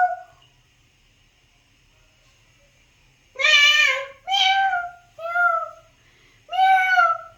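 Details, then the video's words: After a quiet stretch, an Alexandrine parakeet gives four loud cat-like meows, each slightly falling. It is talking and mimicking sounds. "alexander parrot talking"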